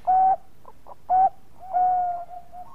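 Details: Bangkok-type zebra dove singing actively as a lure song: two loud short coos with soft pips between them, followed by a long, level, drawn-out coo that fades gently.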